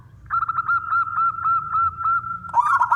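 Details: Local wild zebra dove in a lively song meant to coax other doves into singing: a sustained tremulous cooing tone broken into rapid repeated beats, ending in a rougher rising burst.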